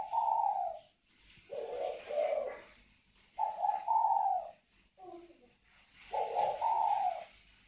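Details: Northern Vietnamese spotted doves, a pair of kept birds in Ba Vì, Hanoi, with the ringing còi vang voice; soft hollow coo phrases in two linked parts, repeated about every two seconds, four phrases in all, in a quiet room.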